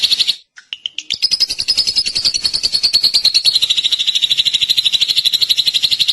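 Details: Drongo song with a brief buzzy burst and a few scattered notes, followed by a sustained rapid rattling trill, its pitch sliding gently downward over several seconds.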